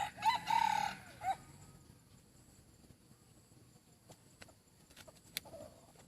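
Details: Decoy chicken praised for its very good voice gives one short, loud, tonal crow lasting about a second, with a brief final note. Quiet follows, with a few faint clicks and a soft call.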